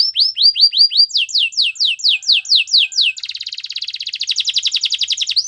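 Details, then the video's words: Canary singing to prompt a quiet canary to sing again: series of bright downslurred whistles, then faster descending swoops, then a rapid buzzy trill, all high-pitched and clean. "Your canary is quiet? Will sing again after listening to this"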